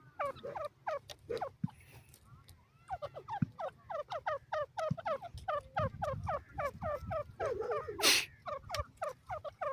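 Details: Grey francolin calling in rapid runs of harsh, downward-sliding notes repeated several times a second, with short pauses between bursts; a loud broadband crackle near the end and a low background hum.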